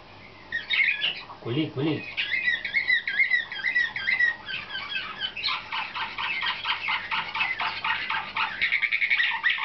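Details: Nightingale-type Slavujar canary, a 2013 youngster selected for competition, delivers a long varied song: a low brief sound near the start, then twisting whistled phrases and fast rhythmic trills running for over seven seconds.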